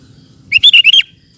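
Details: A sooty-headed bulbul in full, lively song for training caged birds delivers one compact burst of four or five bubbling, fluted notes, clear and loud over a faint low hum.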